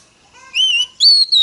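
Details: Female Oriental magpie-robin, sung to provoke males: a soft lead-in, then two clear, sustained high whistles, the second slightly higher and gently falling at the end.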